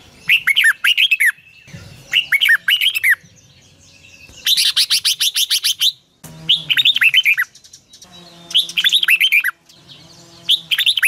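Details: Morning song of a red-whiskered bulbul in the long twisted double-voice style, a lure sound for training birds. Repeated bubbling whistled phrases, with one denser chattering burst near the middle and short gaps between phrases.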